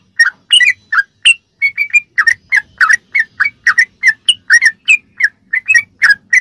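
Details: Sooty-headed bulbul in a tutoring recording for captive birds, giving ropelan-style song: a steady stream of crisp, slurred chirps, roughly four per second, varying slightly in pitch, against a quiet background.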